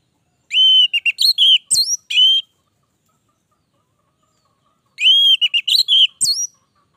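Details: Vigorous orange-headed thrush song, two matching phrases about four seconds apart, each a clear whistled note followed by warbled twists and a high upslurred whistle, with silence between.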